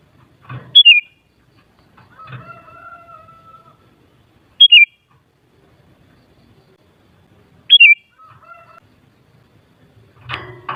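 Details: Sooty-headed bulbul, used to excite other bulbuls into singing back, giving a loud two-note whistled phrase, high then dropping, repeated three times at uneven gaps. A long, steady, lower drawn-out tone sounds between phrases, with soft low rumble.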